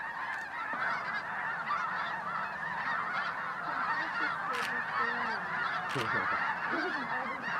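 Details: Many snow geese calling together at a New Mexico wildlife refuge, Bosque del Apache, in mid-December at sunrise or sunset: a steady roar of overlapping honks with occasional lower, nearer calls and a few clicks.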